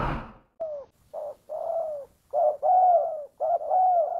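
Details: Lure call of a spotted dove meant to attract wild doves: loud, hollow coos in irregular phrases with brief silent gaps, after a short knock at the start.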